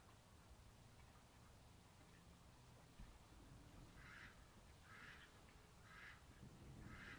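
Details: Mallards, with two males fighting over a female; after a low background rumble, four nasal quack calls come at roughly one-second intervals in the second half, with a soft thump just before.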